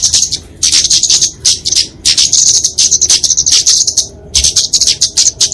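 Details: Fighting song of a kemade flowerpecker used as training and lure material: thin, high, rapid twittering phrases, each a second or so long, separated by short pauses.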